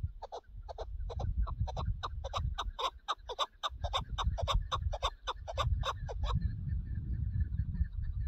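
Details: Chukar partridge on a partridge hunt, calling a steady string of sharp, chattering chuck notes about three each second for six seconds before stopping, with a constant low background rumble.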